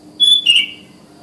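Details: Sooty-headed bulbul in the wild, calling in the morning so that other bulbuls join in: a brief clear whistled note followed by a slightly lower, slurred whistle, quiet background.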